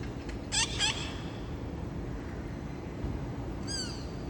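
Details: Parrots dropping in on a late August afternoon after a scout's calling: a quick set of harsh squawks, a long pause, then one falling slurred screech, over background hum.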